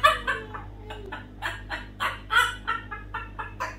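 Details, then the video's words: Pet parrot chattering indoors in the morning, a rapid string of short clucking, speech-like syllables at about four per second, some ending in brief whistled notes, over a low room hum. "Parrot Singing Spongebob Song"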